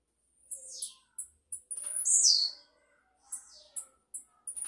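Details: Blue-black grassquit giving a high, thin descending buzzy sweep, preceded and followed by short sharp high chips.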